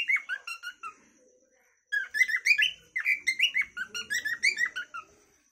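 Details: A cockatiel sings its natural calling song: a few whistled notes, a pause of about a second, then a busy run of sliding, chirpy whistles with a faint steady high tone behind.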